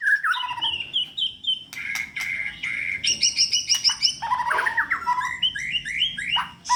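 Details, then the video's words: Contest-ready white-rumped shama in full, vigorous song: fast-changing whistled phrases, trills and sharp clicks mixed with bright slurred notes, over a steady low background rumble. "burung murai gacor"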